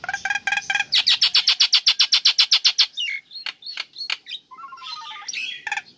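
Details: Female Nias hill myna calling the male, a lure for birds that will not sing: a long, steady run of loud, harsh, harmonic notes, about four per second. Scattered sharp clicks and a short falling chatter follow.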